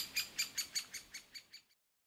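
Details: Nestling great spotted woodpeckers in an old aspen nest hole, begging loudly as the parents feed them: eight quick, bright, high chirps about every fifth of a second, fading and ending abruptly, followed by silence.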